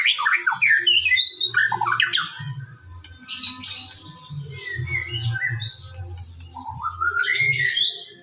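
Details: White-rumped shama song used as a morning lure recording to get a bird singing: loud varied whistles and rising, sliding phrases with harsh squawky notes, over a steady low hum throughout.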